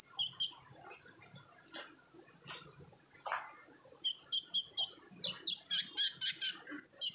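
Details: Olive-backed sunbird lure song in lively 'ngobra' style for untrained birds: paired high chips, a pause with softer notes, then a fast run of bright repeated chirps about every quarter second.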